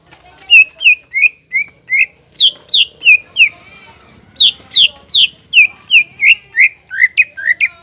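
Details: Greater green leafbird singing vigorously, used as a lure to rouse untrained leafbirds into song: loud downslurred whistled notes repeated about three per second in two runs split by a brief pause, some notes rising and bending, faint background rumble.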